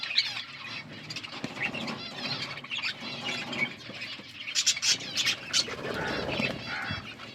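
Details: Budgies chirping over their food: high, wavering warbles and quick twitters mixed with constant lower rustling and crunching, louder bursts of chirps toward the middle.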